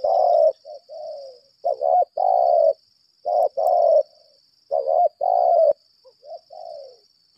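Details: Decoy spotted dove, 'lambung kuk' kind, doing a long 'berlaga' challenge bout: loud, husky coo phrases of two or three parts repeated about every one and a half seconds, ending in softer falling notes, over a steady high whine.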